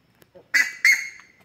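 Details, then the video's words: Young buff-necked ibis on a Brazilian farm in Mato Grosso, calling in the late afternoon: two loud, harsh, nasal honks in quick succession, the second trailing off, over near silence. "CURICACA EM CANTORIA"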